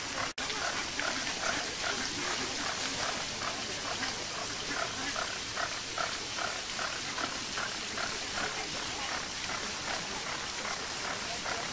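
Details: Captive flamingos at Marwell Zoo in the UK, a steady chorus of short nasal honks repeating about twice a second over the constant hiss of a fountain.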